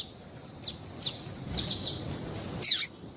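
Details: A female yellow-bellied seedeater, known locally as papa-capim, gives calls that attract males and stimulate them to sing: thin high chirps, a brief cluster of notes, then a louder downward-slurred note.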